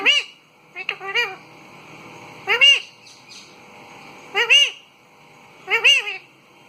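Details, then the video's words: Parrot repeating short arched squawks roughly every one and a half to two seconds, each a rich harmonic note that rises and drops, over faint background hiss. "मिठू की प्यारी सी आवाज"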